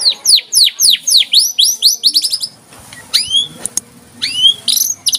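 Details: Murai batu, or white-rumped shama, singing 'tembakan rapat': a series of loud, sharply downslurred high whistles repeated about four times a second, followed by a few separate rising whistled phrases.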